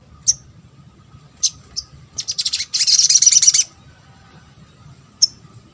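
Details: Sunbird (local name sogok ontong) calls used as a lure to make other sunbirds sing and respond: sharp high chirps, then a rapid buzzy chattering burst near the middle, with single thin notes before and after in a quiet background.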